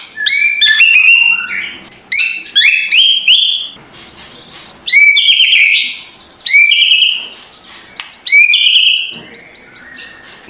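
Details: Indonesian white-rumped shama, loud kretekan morning lure to provoke a lazy bird: short bursts of bright whistled notes sliding down, repeated roughly every one and a half to two seconds with quiet gaps between phrases.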